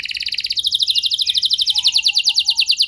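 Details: Canary song used to provoke other canaries into long singing: rapid trills of short notes around 3 to 6k, repeated many times a second, shifting to a slightly lower trill midway, with a faint low whistle near the end.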